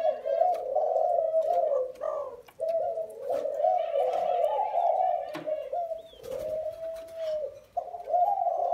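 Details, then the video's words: Spotted doves from a comparison of Thai and Vietnamese lines, several birds cooing at once in an overlapping, low, throaty drone with rising and falling phrases, brief gaps, and faint higher notes above. "Giữa 2 dòng chim gáy ae chọn thái hay việt"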